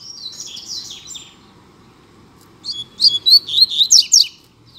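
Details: Caged Double-collared seedeater singing in a contest against a rival male. A high warbled phrase fades, then after a pause comes a loud run of about eight quick, sharp, down-slurred chips repeated several times per second.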